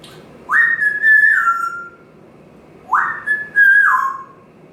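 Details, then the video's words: Larry, a pet parrot on his stand in the kitchen/dining area during his morning routine, gives two clear whistles about two seconds apart, each rising sharply, holding level, then stepping down; he also beeps and makes fart noises. "Larry The Parrot whistling, beeping, and making fart noises."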